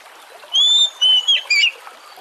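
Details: Oriental magpie-robin (kacer) song played to coax other birds into singing: a long pure whistle followed by two shorter warbled notes, clean and loud.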